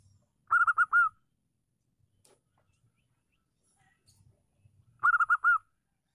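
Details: Singing local female zebra dove used to get stalled males cooing: two phrases about four seconds apart, each a quick stutter of mid-pitched coos finishing with a sustained note; faint low hum underneath.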